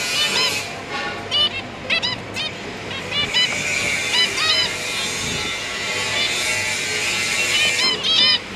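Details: A zebra finch pair busy feeding their three juvenile young, on 1 October 2022, gives a rapid, overlapping run of short nasal, toy-trumpet-like calls from several birds, with a low steady hum underneath.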